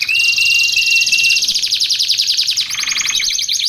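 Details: Canary song for training and luring canaries: a steady whistled tone under a fast buzzy trill, changing to a rapid rattling trill of repeated notes.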